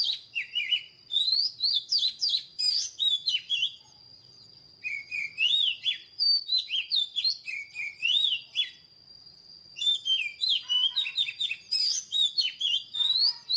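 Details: Oriental magpie-robin singing in three bursts of quick, varied whistles and chattering notes separated by short pauses, with a constant high-pitched tone running underneath.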